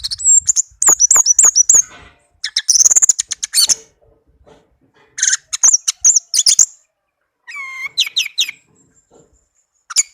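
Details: Tame pet Orange-headed thrush singing a melodious song of high, shrill phrases: rapid clusters of sharp chirps and whistled notes in bursts separated by short pauses, one phrase holding clear descending tonal whistles near the end.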